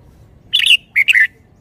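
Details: A caged Red-whiskered bulbul praised for its fine phrasing and style sings two quick, bright whistled phrases. Each has warbling notes that slide downward, with a short pause between them and quiet surroundings.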